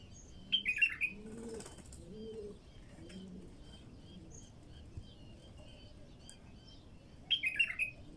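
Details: Bulbul singing, recorded to prompt wild bulbuls into song: two short, bright warbled phrases, one near the start and one near the end, with soft low cooing like a dove between them and a quiet outdoor background.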